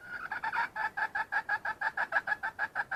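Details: Wild red junglefowl hen giving a continuous cackle of short, nasal, two-toned clucks at about five per second, even and clear, with little background sound.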